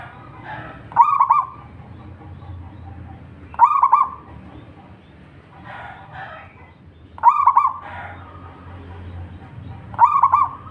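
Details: Local wild Indonesian zebra dove repeating its song: four short, loud phrases of rapid rolling, bubbling coos, roughly every three seconds, with faint other bird notes and low rumbling noise between.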